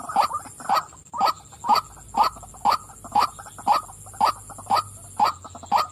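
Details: Hoarse, regular 'wak' croaks of a female white-breasted waterhen, spaced evenly about half a second apart, each loud note followed by a softer echo-like grunt; faint high hum present.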